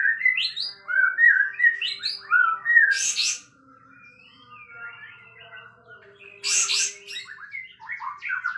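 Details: Loud song of a sooty-headed bulbul that spreads its tail as it sings. It opens with a lively run of rising and falling whistled notes, then softer twitters, with two sharp bursts of hissing noise.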